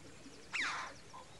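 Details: Chough in the UK giving a single sharp call that slides quickly downward, loud and brief, over faint background hiss.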